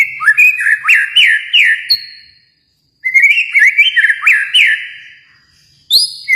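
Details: White-rumped shama from Kalimantan delivering two bursts of loud, rapid rising whistled notes about three per second, separated by a short pause, then a clear high whistle at the end.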